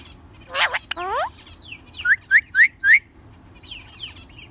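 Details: A speaking ring-necked parakeet utters a harmonic, voice-like phrase, then four clipped rising chirps and soft twittering notes, with a low hum underneath.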